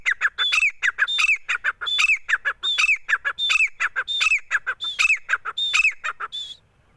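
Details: Grey francolin, known locally as gora teeter, calling in loud, harsh, repeated phrases: clipped squeaky notes and a higher thin whistle, cycling about every 0.7 seconds for six seconds before stopping. Quiet background.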